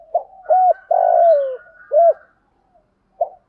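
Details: Spotted doves, both male and female, used to rouse captive doves: soft, low cooing notes in a short phrase of rounded hoots, one long drawn note sliding downward, then a final brief coo after a pause.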